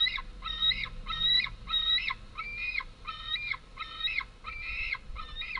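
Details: Fledged white-tailed eagle young begging loudly at their childhood nest on 11 August 2014 as females land with a modest prey item for the two big chicks. Loud, strained screams repeated steadily about every half second.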